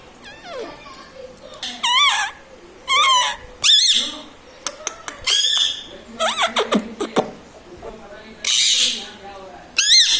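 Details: A pet Indian ringneck parakeet chatters words like mummy, papa and radhe radhe indoors. Many loud, tonal, wavy syllables follow one another irregularly, mixed with sharp clicks and a few harsh, breathy bursts.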